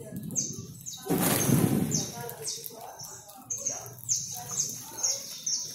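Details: More than a hundred free Saffron finches in a backyard during feeding sing in quick, high, sliding chirps repeated over and over; a loud rushing burst, like wingbeats, interrupts early on.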